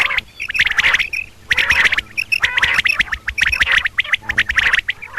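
Female common quail calls: harsh, scratchy squawks and chattering bursts, irregular, about one a second, with no other clear sounds.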